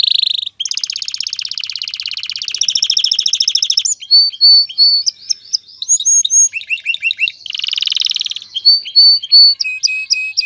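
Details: Canary male in full song to spur a female into mating and nest building, alternating long buzzy rolling trills with bursts of clear whistled and chipping notes, varied and continuous over ten seconds.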